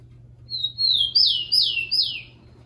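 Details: Tico-tico, the Rufous-collared sparrow, in a warm-up song for caged birds: two gentle drawn-out whistles followed by three loud descending slurs evenly spaced, clean and high-pitched over a faint electrical hum.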